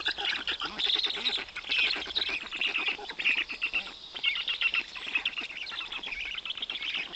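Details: Black stork chicks in the Notecka Forest, Poland, on 18 June 2021, being fed large fish by their father: a continuous chorus of hoarse, wheezy, rasping calls that overlap and pulse unevenly.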